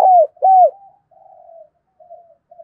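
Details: Spotted dove with the thổ voice, cooing to provoke wild doves and decoys: two loud arched coos falling at the end, followed by a trailing series of soft, low, drawn-out murmuring coos.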